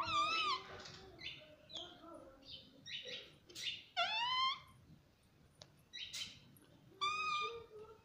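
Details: Pet parrot indoors talking nonstop, repeating "mummy": a run of short harmonic, voice-like calls with bent, sliding pitch, spaced irregularly every second or so, separated by quiet rustling.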